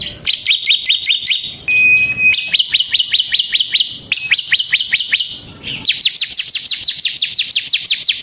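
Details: Bar-winged prinia singing in the ngebren gacor style, recorded as a lure: long runs of fast, sharp chipping notes broken by a short flat whistle, then several further bursts of steady rapid chips.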